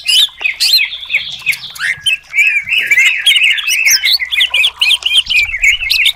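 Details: Greater green leafbird, cucak cungkok, singing a varied competition-style master song to stir rival birds: bright, chattering whistles and twisting slurred notes in quick succession, growing denser toward the end.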